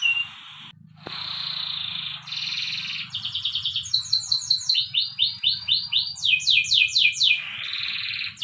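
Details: Morning training song from a canary: a short note and pause, then a long even trill, then quick series of repeated up- and down-swept whistles, tour after tour, with a soft click and low background hum.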